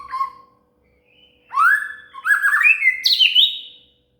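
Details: Shama (murai) song used as material for training a cililin to sing: a short low whistle, then loud sweeping whistled phrases rising and falling, ending in high, complex varied notes.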